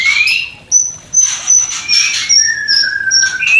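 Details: White-rumped shama breeding song, used to stimulate a new pair not yet producing; long pure high whistles held steady or gently falling, separated by brief breathy rasps.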